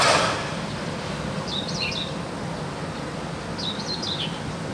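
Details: Wild crested myna singing actively: two short whistled phrases of rising and falling notes, a second apart, over a steady background hiss.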